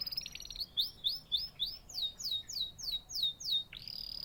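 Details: Natural chirping of a canary: a fast series of bright, downward-sweeping notes repeated about three to four times per second, shifting to a higher-pitched phrase midway and ending on a sustained tone.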